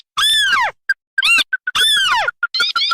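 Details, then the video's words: Lure mix for tikusan crakes, red and white: long loud downslurred squealing calls alternate with short clipped piping notes and small trilled chirps. "Suara pikat burung tikusan merah vs putih"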